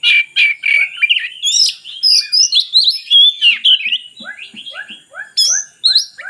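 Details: Oriental magpie-robin song aimed at getting lazy magpie-robins to sing: loud, rhythmic whistled bursts at first, then a steady series of short, descending lower notes with scattered bright high phrases.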